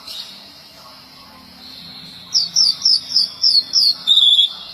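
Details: White-rumped shama, a competition songbird, after a quiet start giving about seven evenly spaced high, thin chirps in quick succession, ending in a slightly longer, lower buzzy note.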